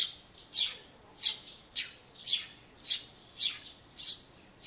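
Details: Near a bird-table birdbath in early April 2013, a Eurasian tree sparrow chirps its spring song, recorded on an Everio camcorder; clear, piercing single chirps roughly twice per second, eight in under five seconds.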